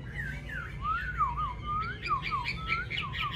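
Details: Captive Chinese hwamei of the yellow-billed type kept indoors in Vietnam gives smooth, looping whistled notes, dipping and rising in a mellow series, with a low background hum.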